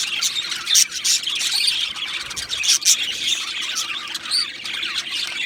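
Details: Two male Australian budgerigars chirping: a dense, continuous chatter of high, thin chirps and short squawky notes with brief louder bursts near the start and middle.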